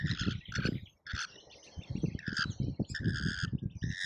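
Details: Lorikeets crowding a feeder in Australia during a feeding frenzy, caught on a feeder camera: repeated harsh, nasal squawks over constant low thumping and scraping from the birds at the feeder.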